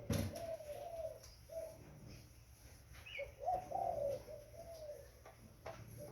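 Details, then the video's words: Young spotted dove cooing in short, low, slightly wavering notes, scattered phrases with pauses, one brief higher chirp, over a constant low background hum. "Burung tekukur Muda"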